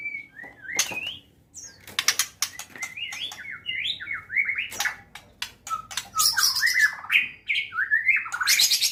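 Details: A white-rumped shama in full contest-ready song pours out rapid varied phrases: rising and falling whistles, quick trills and harsh rasping bursts, with sharp clicks between them, loud and nearly continuous.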